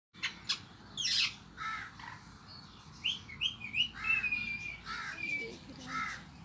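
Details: A pet green rose-ringed parakeet beginning to talk: a run of short chattering, speech-like syllables mixed with sharp chirps and a few drawn-out whistled notes, with faint background noise.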